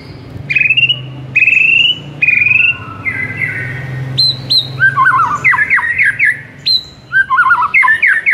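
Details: White-rumped shama training song for a mute bird: three long steady whistled notes with a faint low hum beneath, followed by high clear whistles and busy warbling, twisting phrases.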